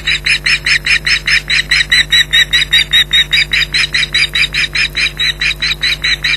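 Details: Vociferous nest defence by a female osprey at Loch Garten, 15 July 2011, as an intruder returns: loud, rhythmic, sharp whistled yelps repeated rapidly and evenly throughout, with a constant low hum beneath.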